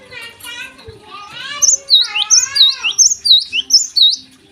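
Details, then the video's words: Morning singing by a Java sparrow: harsh, harmonic churring sounds open, then give way to a run of about seven clear, dipping, bell-like notes. "gelatik gacor di pagi hari"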